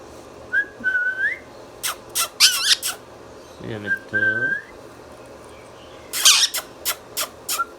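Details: Pet talking Indian ringneck parakeet: rising whistled notes mix with bursts of harsh squawks. A low murmuring voice-like sound comes in the middle, and a second cluster of rasping squawks follows near the end.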